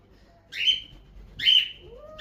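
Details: A male pet cockatiel, being given a spray shower or bath, gives two loud, high whistled chirps about a second apart over a soft background hiss.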